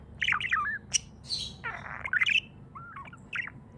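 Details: Happy pet budgerigar chattering: fast warbled chirps, a buzzy rasping note, then a short gliding whistle and scattered tweets, over a soft low hum.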